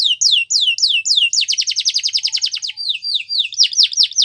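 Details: Training song of a canary: loud falling whistles, then a rapid trill of repeated notes lasting over a second, ending in slower swooping phrases.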